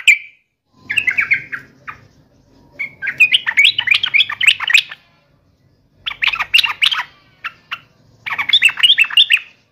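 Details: Yellow-vented bulbul worked up for a fight, giving repeated bursts of quick, jumbled, squeaky chatter, each lasting one to two seconds with short silences between.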